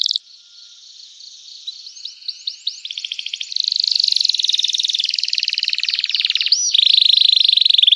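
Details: Lively canary song used to set other canaries singing, starting soft with short upslurred notes, then swelling into long, loud, rapid rolling trills broken by a brief rising whistle.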